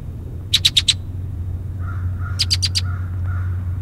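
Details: Red-winged Blackbird from the St Joseph and Elkhart counties region of Indiana, giving its conk-a-ree-type calls: two quick bursts of four sharp, high chips, softer nasal notes between, over a low steady hum.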